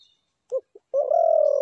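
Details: Spotted dove giving two brief soft coo notes followed by a long, steady, hollow coo that runs to the end, with little else heard.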